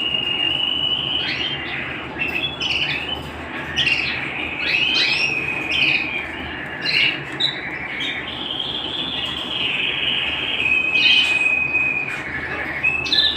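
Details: A canary kept at home sings an extended song of sharp clipped chirps layered over a steady rolling trill, with bursts of quick upward notes recurring every second or two.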